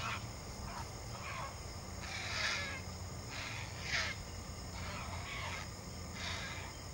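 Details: Great blue heron chick, an only chick at the nest, flapping its wings and grabbing a fish regurgitated by the adult; harsh, raspy broadband squawks burst out roughly every one to two seconds over a steady insect drone and low rumble.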